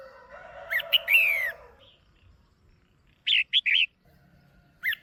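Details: Female red-whiskered bulbul in a cage, calling loudly to stir a male: a slurred descending whistle over a low buzzy background, then a quick trio of bright whistled notes and the start of another phrase.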